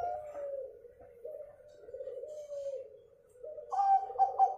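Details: Local zebra dove, its song used to stir other birds into singing: a long, low, wavering purr-like coo running on for seconds, ending in quicker, slightly higher pulsed notes.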